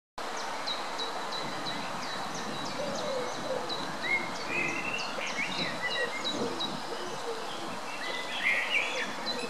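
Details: Greylag goose chicks feeding at the Munich Botanical Garden, Germany; thin, rising peeps scattered through steady background noise, with a regular high ticking from another source throughout.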